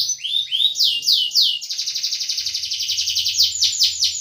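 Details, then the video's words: A canary sings a fast, high, varied song of swooping whistled notes, then a rapid buzzy trill, repeated several times a second. It is played to prompt silent canaries to sing. "Burung kenari gacor untuk pancingan kenari macet bunyi"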